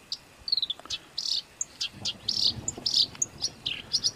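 Songbird giving harsh, buzzy, high-pitched bursts several times a second, with a few thin descending whistled notes in between.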